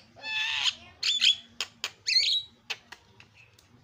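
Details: Javan myna giving noisy 'isian' tutor song for training other songbirds: a rasping buzzy squawk, then clipped whistles and short harsh chatters separated by quiet pauses.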